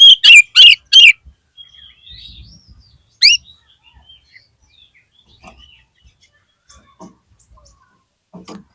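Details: Oriental magpie-robin song played to encourage a caged bird whose spirit has dropped: four loud, harsh, rasping notes in quick succession open, then another lone burst, with faint whistles and soft clicks in between.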